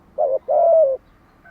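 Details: Early-morning song of a caged spotted dove: one short low coo, a brief gap, then a longer smooth coo that swells and slightly falls, followed by near silence.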